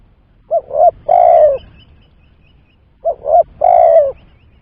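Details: Spotted dove lure coo for trapping, repeated twice about two and a half seconds apart. Each phrase is two short hollow notes leading into a sustained, gently descending coo.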